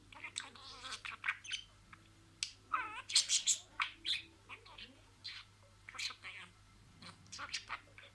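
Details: Budgerigar kept as a pet, talking in a string of words: dense, fast chatter of buzzy syllables, wavering warbles and sharp high chirps, about three per second, louder in the middle, in a quiet room.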